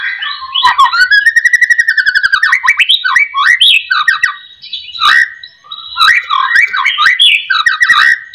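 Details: White-rumped shama song used as a lure to make other shamas sing: a long, loud run of rapid rattling notes, then varied whistled phrases sweeping up and down with sharp chattering bursts.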